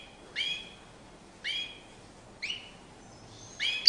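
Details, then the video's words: European goldfinch, described as singing in courtship display, giving short separated notes: four brief upward-sweeping chirps spaced about a second apart, clear against a quiet background. "Magnifqiue chant une parade nuptiale تغريد رائع"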